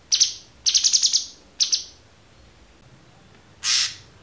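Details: Cucak cungkok, tutor recording for songbird training: three bursts of high rattling chatter in quick succession, then silence and a single noisy broad burst.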